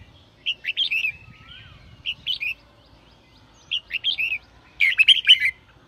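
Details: Sổ bọng song from a red-whiskered bulbul, used to trigger singing in freshly caught birds: four separate warbled phrases roughly every one and a half seconds, the last one loudest and richest.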